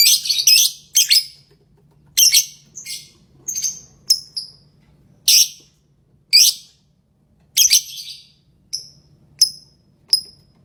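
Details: Lovebird singing: a fast opening run of harsh, raspy high notes, slowing into thinner clear chirps with falling tails, about one per second toward the end.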